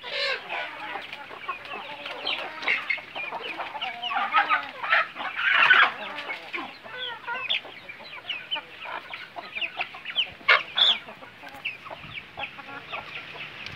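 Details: Semi free-range Bangkok chickens on a farm, thick chorus of clucks and trilled chatter from a flock, swelling louder around the middle and with a few sharp squawks toward the end.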